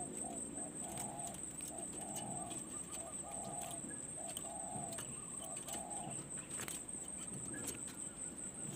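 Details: Spotted dove at a decoy-luring perch session, heard faintly at a distance: a run of soft, low, hollow coos in short grouped phrases, partly buried under a steady high insect whine and rustling background.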